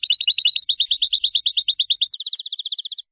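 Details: Spanish goldfinch song used to tutor young birds: fast, rattling trills of bright twittering notes, about three per second, shifting to a higher, thinner, tinkling trill halfway through, continuous for three seconds with nothing else heard.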